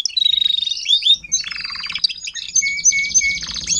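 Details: Adult Timbrado canary teaching young canaries to sing, 2021: fast even rattle, a buzzy low roll, then warbled notes and repeated clear whistled tones, soft low hum behind.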